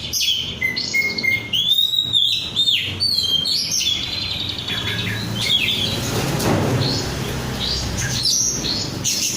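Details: Untrained kacer (oriental magpie-robin) singing busily: a rapid string of whistles, slurs and short trills in the first half, fading into quieter scattered notes amid rushing background noise.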